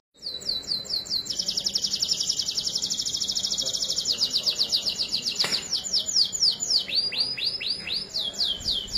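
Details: Singing canary in a 'dor'-style master song used to train and trigger other canaries: a long fast metallic trill of tightly packed notes, then a string of loud downward-sweeping whistles.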